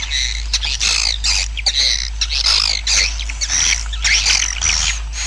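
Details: Swiftlet colony at roost, a sound used to help the colony grow: busy, overlapping high chirps and squeaky twitters, with sharp clicks and brief whistled notes throughout, over a low hum.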